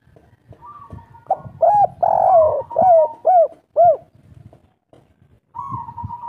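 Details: Spotted dove in local kuk 3 song style, a hobby bird whose call is meant to stir other doves to call: bursts of looping, arched coos in quick series between flatter drawn-out notes, over faint low background rumble.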